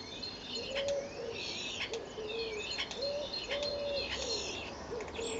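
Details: Pair of common starlings on April 10th 2011, fighting or mating: a series of wavering, squawky calls with curving whistled notes over a level lower tone, repeated about every second against faint background hiss.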